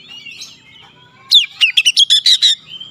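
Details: Oriental magpie-robin (kacer), a stressed bird, delivering a fast burst of about eight loud, sharp chattering notes after a quiet, thin warbling start.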